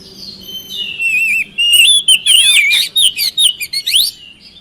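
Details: A lure song of an oriental magpie-robin, meant to get reluctant birds to answer. Soft drawn whistles open it, then loud varied phrases with sweeping slurs, rapid trills and abrupt chirps run on without a break.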